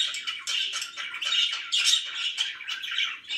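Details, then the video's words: Pet budgerigars in a happy mood, chirping in quick choppy bursts about twice a second, harsh squawky notes mixed with twittering. "VERY HAPPY BIRDS #chirpingbirds #budgie"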